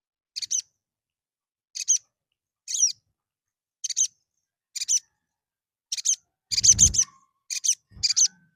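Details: Little spiderhunter calls used as a lure to provoke fighting males: sharp, very high chipping notes in short clusters of two or three, spaced about one second apart, with a brief low thump near the end.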